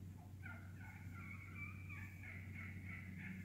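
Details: Feeding flock of wild turkeys in woodland, calling busily: a couple of soft clucks followed by a loud, fast stream of harsh, overlapping cutting and purring notes that runs on to the end, with a low steady hum behind.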